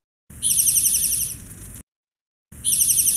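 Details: Spotted Towhee (Pipilo maculatus) song: a fast, high, buzzy trill lasting about a second and a half, then a short pause before it starts again.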